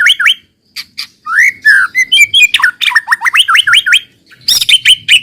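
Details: White-rumped shama song meant as a lure to get other shamas singing: hooked rising whistles, a rich slurred phrase, then a tumbling run of quick hooked notes and a harsh burst at the end.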